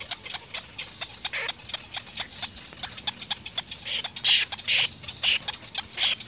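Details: Little egret chicks at the nest begging their parents for food: rapid, dry clicking pulses, about two per second, broken by harsh, rasping squawk bursts toward the end.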